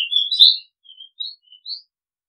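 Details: Song of an Oriental magpie-robin: a loud whistled phrase that opens with rich varied notes, then trails off into a few soft, well-spaced whistles, the last one slurring upward. Quiet background.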